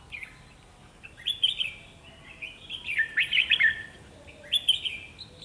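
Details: Caged decoy red-whiskered bulbul singing strongly during trapping to lure wild birds; three loud clusters of rich, warbled whistles with rapid notes, separated by short silences.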